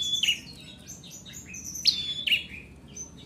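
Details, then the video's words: Two quick phrases from a bar-winged prinia (ciblek merah): thin, high-pitched chirps and a clear dropping whistle-like note, against a soft, steady background noise. "Ciblek merah Gacor"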